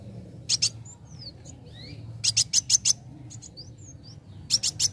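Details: Young sunbird song to provoke other birds into singing: short clusters of high, sharp chips separated by pauses and soft, thin whistled slurs.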